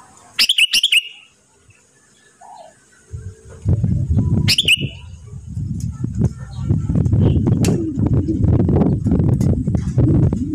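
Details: Home-kept sooty-headed bulbul in moult, singing vigorously: two short bubbly whistled phrases about four seconds apart, then loud low rumbling and knocking noise fills the rest.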